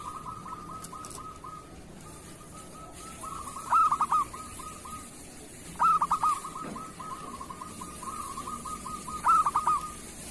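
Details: A local zebra dove's kerot song, used for training other doves: three short rolled cooing phrases of four or five quick notes, spaced a few seconds apart over a steady low background tone.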